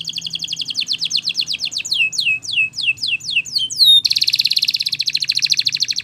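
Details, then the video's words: Spanish Timbrado canary training song with a quick rolling trill that slows into spaced descending whistles, then breaks into a loud, very fast metallic rattle. "Canary Singing Bird Sounds"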